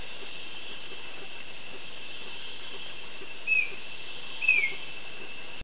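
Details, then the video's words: A male Chestnut-backed Antbird (Myrmeciza exsul) sings at La Selva Biological Station, Costa Rica: two clear, slightly falling whistles about a second apart over a steady background hiss. "Chestnut-backed Antbird song"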